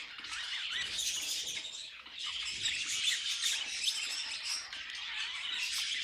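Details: Several pet budgerigars singing together: a dense, continuous chattering warble of scratchy chirps, squeaks and short whistles, high-pitched and unbroken throughout, with no pauses between birds.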